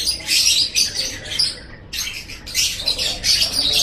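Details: Lovebird chattering called ngekek, used to prompt pet lovebirds to chatter: shrill, scratchy bursts, a quieter pause around the halfway point, then renewed loud high chatter to the end.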